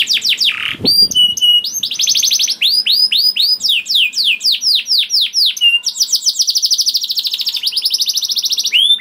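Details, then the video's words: Canary song for prompting other canaries to sing: varied phrases of whistled downslurs, fast buzzy trills and a long high rolling trill toward the end. "PANCINGAN KENARI GACOR DOR NGEREK PANJANG INI AMPUH BIKIN KENARI LAIN BUNYI"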